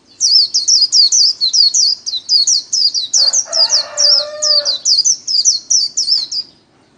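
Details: Daily-trained cage white-eye singing líu: a rapid even stream of high, sharp, hooked notes, about 2.5 per second for over six seconds, with a lower harsh rasping sound for a second and a half midway.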